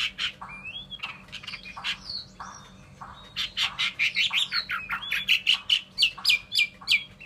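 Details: Chinese hwamei, a Vietnamese cage bird, singing a varied run of loud whistled phrases, sparse at first, then a dense burst of rapid, rising and falling notes with sharp clicks over the final three seconds.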